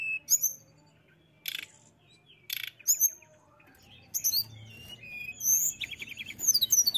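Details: Mountain tailorbird in lively, persistent song: high, thin whistled notes, short rapid trills and falling slurred phrases, broken by harsh rasping bursts, in irregular phrases about every second.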